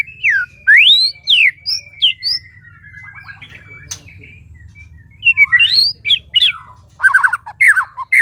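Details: White-rumped shama at a breeding facility in breeding season: scattered whistled slurs and rising sweeps, a long steady thin whistle, then bursts of quick warbling notes, over a low steady hum.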